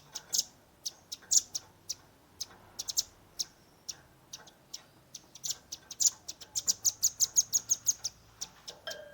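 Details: Young velvet-fronted nuthatch in tembakan, a rapid shooting style, recorded on a Redmi 10: scattered piercing chips build into a long, fast, even trill of high notes near the end.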